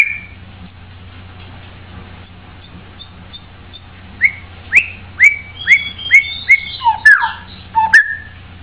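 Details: White-rumped shama singing: after a quiet start, a run of about eight clear whistled notes, each a short rising-then-falling slur repeated roughly twice a second, ending with lower downslurred whistles and sharp clicks; steady low hum beneath.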